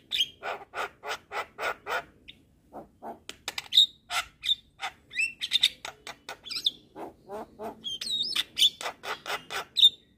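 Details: Javan myna, locally jalak kebo, singing gacor as masteran to train songbirds: steady pulsed clicks in a regular series, then varied squeaks, chatters and sharp high whistles.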